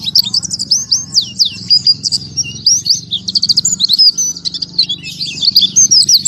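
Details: Oriental white-eye singing in the 'tembakan tanpa nafas' (breathless volley) style: a continuous rush of high, thin, sharply bending chirps and twitters with no pauses, over a faint low hum.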